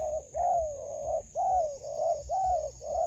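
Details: Close, loud spotted dove coos from a decoy trapping session in a melaleuca grove: drawn-out, gently wavering notes about one per second, each dipping at its end, with a steady high whine.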